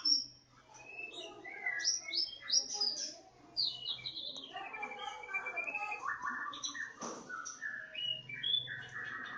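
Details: Kacer Jawa, the Javan Oriental magpie-robin, sings more quietly: thin high whistles and chattering phrases, partly masked by a low background hum and a murky noise floor.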